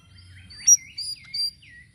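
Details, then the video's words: Sirisiri singing to draw in other birds: several sweet, slurred whistles that fall and rise, interrupted by one bright, piercing high note. "GACOR UNTUK PANCINGAN BURUNG SIRISIRI DENGAN VARIASI SUARANYA"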